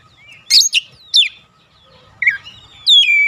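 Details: Oriental magpie-robin song meant to rile other magpie-robins: short, sharp whistled notes with downward sweeps, given in separate bursts of about a fifth of a second with gaps between them, ending on a longer falling whistle.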